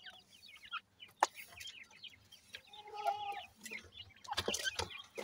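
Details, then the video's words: Grey francolin (dakni teetar) chicks at feeding time give scattered high, short chirps and peeps. Loud clicks and rustling bursts sound in between, with a busy burst near the end. "partridge tetar ,Teetar ki Bache,dakni Teetar Chicks Feeding"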